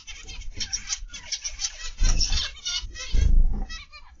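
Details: Zebra finch flock in an aviary, 29 November 2021, PM: continuous nasal beeping and trumpet-like chatter, with two louder low rumbling bursts midway and near the end.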